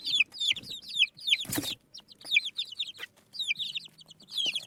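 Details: Local chicken chicks eating rice: bursts of thin descending peeps, broken by a sharp scraping thump and short pauses, then more chirping groups.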